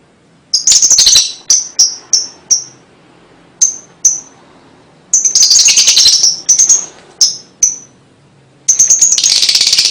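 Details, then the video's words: Lovebird song to stimulate young birds: quick high chips in short runs, broken by dense buzzy chatter around the middle and a loud rattling trill at the end. "LOVEBIRD MANAPUN PASTI IKUT NYUAT DENGAR 3 DETIK KICAU INI"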